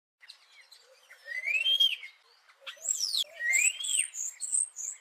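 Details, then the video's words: Starling singing close by: soft scratchy notes, then clear rising and falling whistles that sweep upward, followed by high thin whistled phrases in a quiet setting. "The song of the starling"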